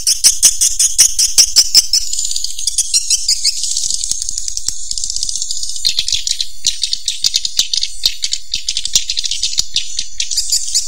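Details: Swiftlet sounds: quick dry rattling clicks and high, buzzy chirps run together into a continuous chatter, with a regular pulse of clicks at the start.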